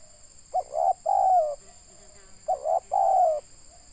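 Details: Spotted dove, called tekukur locally, recorded in Indonesia while being used to lure wild doves; two loud cooing phrases, each short stuttered notes then a longer wavering coo, over a steady high electronic whine.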